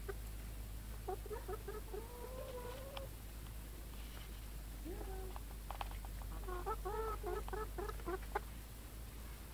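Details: Free-range chickens on a farm in Ontario, Canada: soft clucks and a drawn-out rising note early on, then bursts of short, stacked clucks between five and eight seconds, over a steady low hum.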